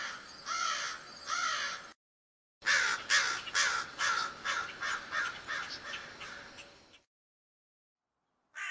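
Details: American Crow in Ohio giving harsh, nasal caws: two, then after a pause a run of about eight in quick succession, with another starting at the end.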